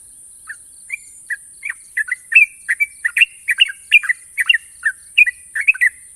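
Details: National champion sooty-headed bulbul starting with a few spaced chirps, then quickening into sharp, long trilled song of bubbly, slurred notes over a constant high hiss.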